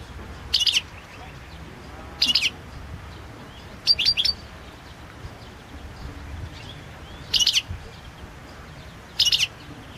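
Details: European goldfinch, Balkan subspecies Carduelis carduelis balcanica, recorded as a 2022 entry in a Serbian breeders' association's online singing championship: five short bursts of bright, high twittering notes, spaced roughly every one and a half to two seconds, over a quiet low hum.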